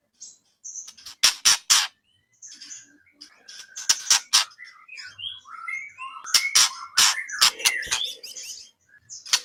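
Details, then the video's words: White-rumped shama song in a training recording for songbird contests: scattered whistled and warbled phrases between 1 and 4k, broken by loud sharp broadband clicks and bursts, with a faint low hum near the middle. "Masteran burung murai"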